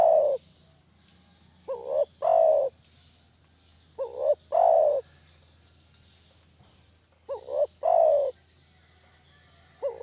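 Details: Spotted dove lure sound for catching doves: soft, low coos in a repeated three-note phrase, two short notes then a longer one, recurring every two to three seconds against a faint steady hum.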